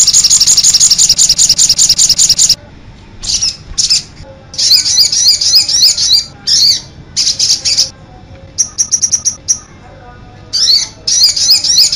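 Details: Sogon bird with 'cit anten' song: a rapid chain of high chirps, then varied squeaky warbled bursts and short trilled pieces with gaps between them.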